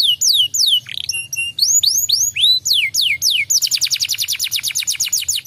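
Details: Canary song meant to goad a silent canary into song: falling whistles, a brief flat tone pair, upswept and downswept notes, then a fast even trill of short notes to the end, with low background hum.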